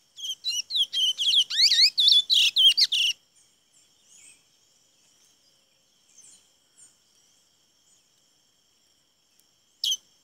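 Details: Chestnut-bellied seed finch in song at Saint-Georges, 17 May 2016, delivering a quick three-second burst of high, varied notes with swooping slurs and trills, then near silence with soft distant chirps and one short loud note near the end.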